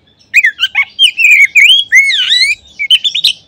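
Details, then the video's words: Oriental magpie-robin song used as a lure recording to stimulate other magpie-robins to sing. Loud, rapid whistled phrases with sliding, swooping notes and sharp chirps, delivered almost continuously for about three seconds. "Kacer manapun seketika terangsang berbunyi dengan pancingan ini."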